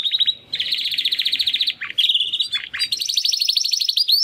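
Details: Two young male Timbrado canary brothers from the 2020 second breeding, first singing attempts after their first molt; fast rolling trills in continuous tours, broken by brief dipping notes, then a bright rapid trill.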